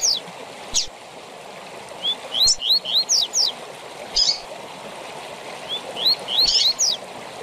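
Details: Double-collared seedeater singing the tui tui zel zel fibra phrase used to teach captive birds: fast series of rising whistles mixed with high sharp notes, in two groups, over a rushing stream.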